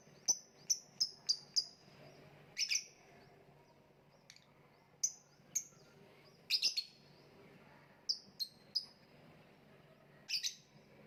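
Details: Lovebird chattering in a lively series of rapid shrill chirps, a quick run at the start, then clusters and doubled notes at uneven spacing, with a faint low hum beneath.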